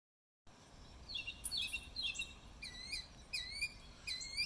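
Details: Northern mockingbird singing in spring, recorded March 26, 2020: a varied series of high, bright phrases, each sweeping or chirped note repeated several times before changing to a new pattern, with a quiet background.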